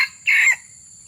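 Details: Red junglefowl calling during a lure session for wild junglefowl: the end of one harsh note, then a single loud, rasping syllable about a quarter second long, followed by quiet with a faint hiss.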